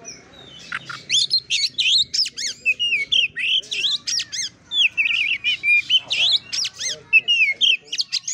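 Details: Oriental magpie-robin singing in the fighting style called kura kura, a fast stream of sharp chirps, rising whistles and buzzy notes packed tightly together, high-pitched and nearly continuous with short gaps.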